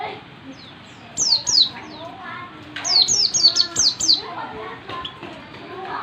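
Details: Oriental white-eye (pleci) learning the dense 'ngalas rapat' song style: sharp, high, down-slurred whistled notes in quick bursts of two and then about six, over softer lower chirping and background murmur.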